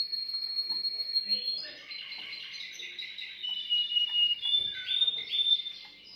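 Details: Canary song to stimulate a female: continuous high warbling with a long held whistle at the start, shifting trills and buzzy passages, plus faint room noise.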